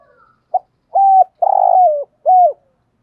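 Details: Spotted dove giving stimulating coos, urging and calling notes in native-voice style: one brief clipped note, a steady hollow hoot, a long vibrating coo that drops at its end, and a closing falling hoot, with silence between.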